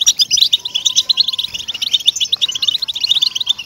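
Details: Goldfinch song meant to encourage caged goldfinches to sing, heard as busy, tinkling chatter of quick high notes, with a faint steady whistle-like tone underneath near the start.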